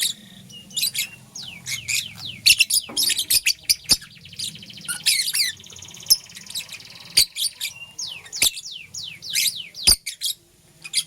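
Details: Purple lovebird, a female making a nest, gives dense bursts of sharp, high chirps and downward-sweeping squeaks in rapid, uneven runs, with a faint low hum beneath.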